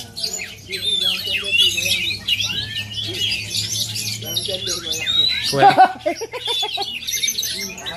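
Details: High whistled and chattering song of an oriental magpie-robin native to Aceh, interrupted by a brief burst of human speech near the middle, with steady talking in the background.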